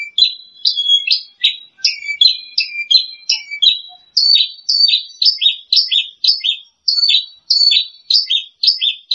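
A bushlark sings a fast, unbroken run of high, sweet chirps and buzzy trills. The phrases repeat about twice a second with no other sounds.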